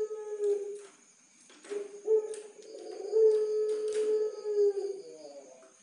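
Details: Puter pelung turtle dove, a caged bird from a bird farm in Tulungagung, used as a master recording: drawn-out, low, smooth coos that swell and fade, with a loud opening note and a long, wavering middle section, in a quiet room.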